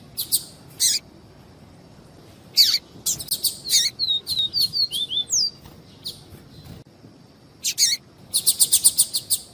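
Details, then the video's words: Double-collared seedeater, viviti song type alongside female calls: scattered buzzy chips, then dense chatter running into a sequence of descending whistled slurs and a sharp down-sweep, closing with quick rattling ticks. "PAPA CAPIM VIVITI E PIADO DE FEMEA"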